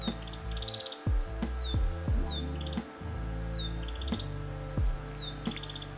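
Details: Narcissus Flycatcher sings along a shaded hiking trail around Kamo-ike pond, Ono, Kita-Harima, Hyogo, Japan, in summer: a simple, restrained song, perhaps of a young bird, a high slurred whistle and quick bright notes every two seconds, over low music and thumps.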